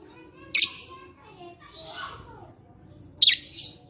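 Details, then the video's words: Lovebird sound used as therapy to coax lazy lovebirds into singing, dated 11/4/21; two loud, harsh, high-pitched chirp bursts about three seconds apart, with a softer rasping note between them. "Terapi Lovebird Malas Bunyi Cocok Untuk Memancing Bunyi Semua Love Bird"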